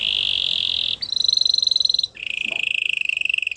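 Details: Canary delivering long sustained trills: a loud high rattling trill, a slightly higher one, then a lower steady trill, each lasting about a second.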